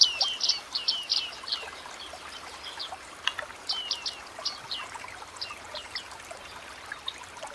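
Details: Bearded reedlings, wild, moving through dense reed beds in a wetland, giving quick bursts of high, metallic downslurred pings, several notes close together early on, then scattered single calls over a soft steady background hiss.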